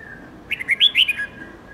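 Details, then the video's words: Red-whiskered bulbul song for coaching young birds in long 7 to 10 note songs: about six rising and falling whistled notes run together into one warbling phrase, with a soft lower tone before and after. "Luyện chào mào Hót Nhiều Giọng âm 7-8-9-10 cực dài/Ép chào mào non,má trắng học giọng hiệu quả"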